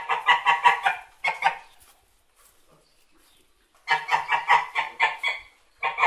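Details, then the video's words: Domestic white geese give bursts of harsh, nasal honks, several quick calls in a row, then a short quiet pause before another noisy volley. "White Geese Sounds"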